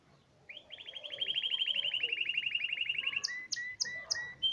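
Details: Hipi-type canary singing: a long, even trill of rapid repeated notes lasting over two seconds, followed by several sharp descending chirps alternating with short whistles.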